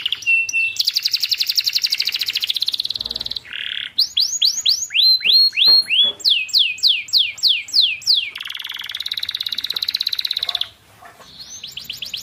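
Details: Varied canary song for training silent canaries: a fast buzzy trill, a short harsh burst, a series of crisp sweeping whistles, then another long rapid trill fading away.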